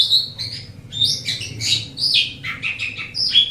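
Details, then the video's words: Asian pied starling sings continuously for pet bird training, a dense jumble of bright whistles, slurs and harsh chattering notes without pause. "Suara Burung Jalak Suren"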